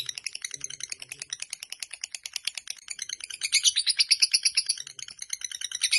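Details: Fighter lovebird chattering continuously: quick rasping high notes at about three per second, swelling louder and brighter toward the middle, with faint low sounds early on.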